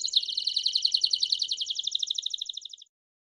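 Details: Singing Belgian canary, bell song style: a steady, rapid, high-pitched trill that holds for nearly three seconds and stops abruptly, followed by silence.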